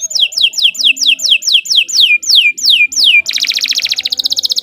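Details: Canary master song for tutoring other birds: a series of about ten loud high down-slurred whistles, evenly spaced, followed by a fast dense buzzing trill.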